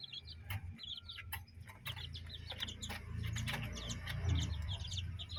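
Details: Chickens with their chicks playing in a yard and chicken coop. High, thin, downslurred chick peeps come in rapid, irregular runs over a steady low rumble and some rustling.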